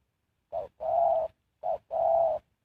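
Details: Decoy spotted dove singing to attract wild doves into a trap: two paired coos, a brief clipped note then a drawn-out mellow one, with silence between pairs.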